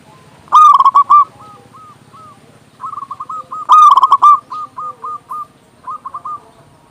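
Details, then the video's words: Local zebra dove cooing to prompt other doves into song: two loud bursts of rapid coos followed by even strings of softer, evenly spaced coo notes, over a low murmur. "Perkutut lokal gacor suara besar Masteran burung perkutut agar cepat bunyi"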